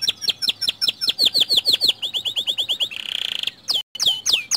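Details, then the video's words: Canary with white plumage singing a lure song for other canaries: a steady series of descending chirps speeds into a trill, then a dense buzzy roll, then a few abrupt loud notes. "Pancingan Kicau Kenari Putih Bikin Kenari Lain Ikut Gacor Dor"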